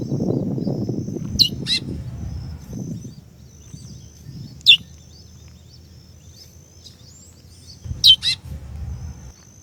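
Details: Female chestnut-bellied seed finch (curió) calling to stimulate the male: three brief, sharp high chirps spaced several seconds apart, over a low rumbling background and a faint steady high tone.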